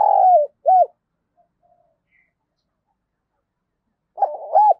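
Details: Decoy spotted dove of the thổ voice style, sounding harsh and scolding as it provokes wild doves; the end of a coo phrase with a falling rolled note and a short hooked coo, then silence and a new phrase starting.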